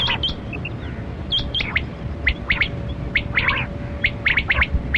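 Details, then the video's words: Quail called kali kirak batera in a hunting recording: a few high, thin whistled notes at the start, then runs of short sharp chirps in quick groups over low rumbling background. "Sound Of Kali Kirak Quail Batera"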